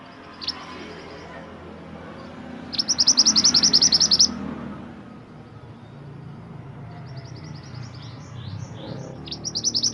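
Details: Master song of Mantenan gunung for training songbirds: repeated bursts of fast, high chirping trills, one brief, one lasting over a second, then softer trills building again near the end, with low background rumble.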